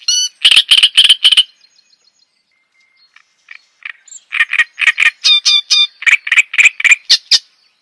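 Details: Java sparrow song for lure and tutor use: a burst of sharp clicking notes, a near-silent stretch with a few soft chips, then a steady run of metallic clucks and tinkling whistles.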